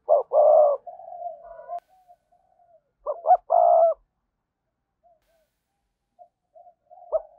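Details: Spotted dove coo meant to draw in wild doves: two soft hoots and a sustained mellow coo, a second burst of clipped notes with a long coo, then faint trailing murmurs and quiet.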